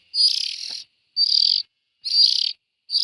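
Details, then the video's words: Harsh, wheezing rasps from young bulbuls, four drawn-out noisy calls spaced roughly a second apart in an otherwise quiet setting. "Tiếng chim chèo non.suab mi nyuam noog siv txaij"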